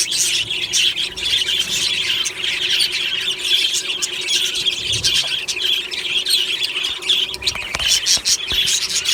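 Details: Budgerigars in an aviary colony chattering happily in the morning: a dense, continuous wash of high squawks, chirps and warbles from many birds at once, with short sharp squeaks breaking through near the end.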